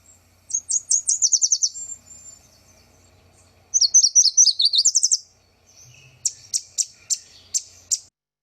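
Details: Yellow Warbler in wetland shrubs: two rapid, sweet songs of quick repeated notes, each about one and a half seconds long, then a series of six sharp, evenly spaced chip notes about every half second.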